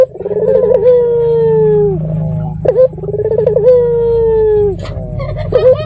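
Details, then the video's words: Red-eyed puter dove lure call intended to provoke answering doves: sustained hollow coos, each opening with a short trill and sagging slowly in pitch for about two seconds, repeated twice, with a low steady hum behind. "Pancingan Burung Puter Mata Merah Gacor"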